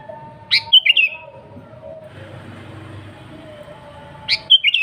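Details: Sooty-headed bulbul in lively, persistent song, pure without mixed-in songs of other birds, used as a lure for wild bulbuls; two short bubbly phrases of three or four liquid whistled notes, about four seconds apart, over a faint low background hum.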